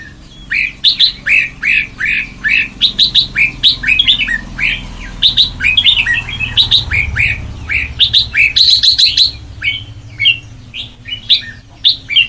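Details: Red-whiskered bulbul, white-cheeked, sings Sông Kon style training song: a lively, continuous string of short warbled, slurred whistles, bubbling and varied, with a quick high chatter near the middle over a low background hum.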